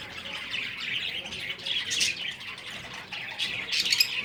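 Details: A flock of breeding finches keeps up rapid, high-pitched tweeting. The rapid notes rise and fall in loudness, with a brighter burst of chirps near the end.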